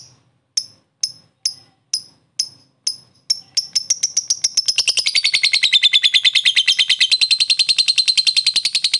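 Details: Lovebird of the fighter type giving 'ngetik' typing-style chatter as a lure for other birds: evenly spaced piercing chips every half second, quickening after a few seconds into a rapid, unbroken high chattering trill to the end.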